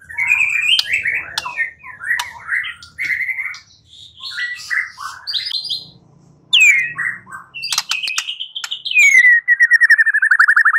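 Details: White-rumped shama singing as a lure to prompt a bird to reply: varied loud whistles and chattering phrases, ending in a fast series of repeated descending whistled notes, with a low hum beneath.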